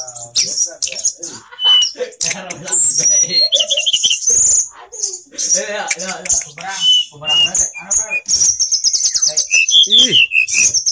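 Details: Grey bushchat singing actively: dense, fast run of high twittering notes, sharp whistles and buzzy trills with brief pauses, with lower voice-like sounds underneath in places.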